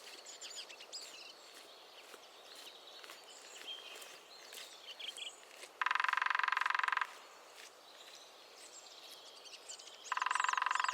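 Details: Lesser spotted woodpecker in the New Forest, England: two rapid drum rolls about a second long, rattling fast and even, amid a background of several small songbirds twittering and trilling.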